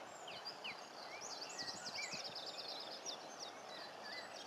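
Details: Superb starlings (spreo starlings) at Paradise Park, filmed in 2014, keep up a dense chatter of high, quick whistled trills and rising and falling chirps, some notes buzzy, with faint low knocks underneath.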